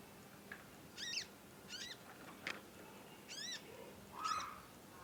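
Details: Young conin still learning its song, chirping in long nyecet bouts: curved, stacked chirps about once a second, mixed with faint clicks and a brief whistle-like tone.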